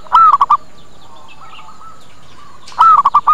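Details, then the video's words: Zebra dove lure call to pull in wild birds: a clipped cooing phrase, a quiet pause with soft distant notes, then another phrase of long coo and short rapid coos. "Suara PIKAT PERKUTUT Cepat Pada Datang dan Nyaut"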